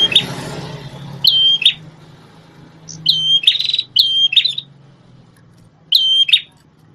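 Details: Prinia, described as a red-headed visiting bird, kept as a former tutor for a magpie-robin: loud phrases of a sustained high whistle ending in a buzzy burst, repeated about every one to two seconds, with a low hum at the start.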